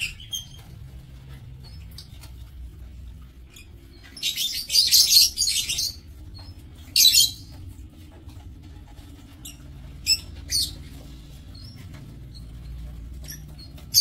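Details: Several lovebirds in an aviary cage: quiet stretches broken by two loud bursts of shrill, harsh chattering, then scattered single sharp chirps and faint twitters.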